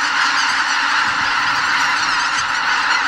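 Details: Pre-dawn roost departure of nearly 80,000 greater white-fronted geese at a Ramsar-listed lake in Bibai, Hokkaido; loud, layered honks and yelping calls pour out continuously, with no silent gap.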